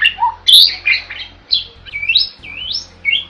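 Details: Starling (jalak) singing for use as a tutor recording: a loud harsh squawk, then clear whistled phrases that swoop up and fall in smooth arcs, spaced by short pauses, with a low hum underneath.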